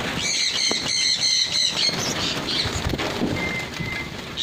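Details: Pin-tailed parrotfinch giving a quick run of thin, high, evenly repeated chirping notes for nearly two seconds, then falling quiet amid rustling and fluttering, with one faint short whistle near the end.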